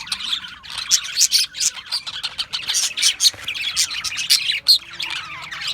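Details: Budgerigars, Australian budgies, chirping in a dense, continuous chatter of many overlapping short high chirps and warbles, busy throughout with frequent louder bursts and no clear pauses.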